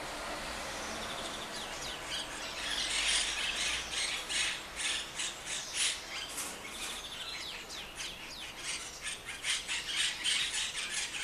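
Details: Monk parakeets in Rome, Italy, giving a fast, continuous stream of harsh, screechy squawks, several notes per second, overlapping as from more than one bird, growing louder after the first two seconds, over faint low background hum.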